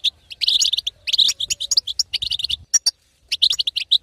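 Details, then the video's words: Female European goldfinch batbata, intended to make a silent male sing; quick chirruping runs of sharp high notes, a clear pause around three seconds, then more twittering. "أقوى بتبته حسون تهيج وتهبل الحسون الساكت"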